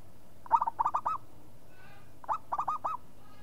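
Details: Local zebra dove in full, active song: two phrases about two seconds apart, each a low clipped coo followed by three quick, rolling, slightly rising coos. Background is quiet, with only a faint hum.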